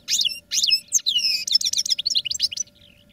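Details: Dense, lively twittering from European goldfinches trained in cages: repeated bright chirps, slurred whistles and buzzy notes run together almost without break before fading out.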